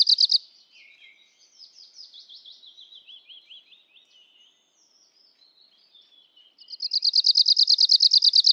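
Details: Arctic warbler song: after a brief opening burst and a stretch of faint, high scratchy twittering, a loud rapid dry trill of evenly repeated notes starts near the end and runs about two seconds.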